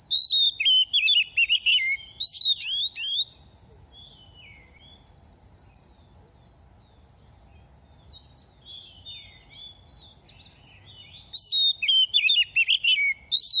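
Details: Moulting oriental magpie-robin, semi-mature and past two moults, gives rapid bursts of varied whistles and sharp chirps at the start and end. A long steady insect trill fills the quiet middle.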